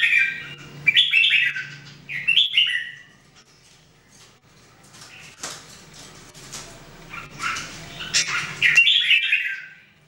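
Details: Jambul, or Red-whiskered Bulbul, one of three birds in daily song training, gives short rising warbled phrases at the start and end, with a quieter stretch of soft clicks between.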